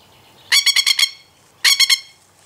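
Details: Threat display by a masked lapwing (spur-winged plover): two loud bursts of fast, strident, rattling notes, five then three, separated by a short pause.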